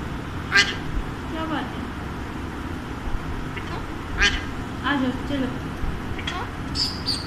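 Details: Alexandrine parakeet kept as a pet, talking: a few brief, harsh, broadband syllables spaced a second or more apart, with softer harmonic mumbles between them and steady low room noise.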